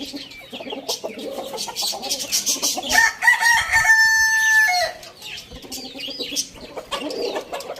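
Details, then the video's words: Rooster crowing in the morning: one long harmonic crow lasting about two seconds, rising then held steady before dropping at the end, with chirping and clucking around it. "Rooster crowing sound in the morning"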